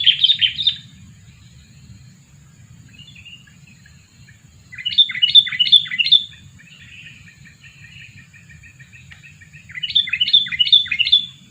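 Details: Three separate bursts of quick, bright chirps from a two-year-old sooty-headed bulbul used for luring birds, with softer scattered notes between bursts and a constant low hum.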